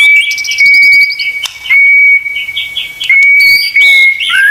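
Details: Murai batu, the white-rumped shama, in a training song: a long steady high whistle runs under fast chattering notes and sharp trills, ending in a falling slurred whistle.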